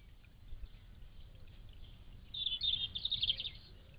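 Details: Thrush song phrase: a single bright, fast twittering burst in the second half, preceded by quiet background noise with a faint low rumble.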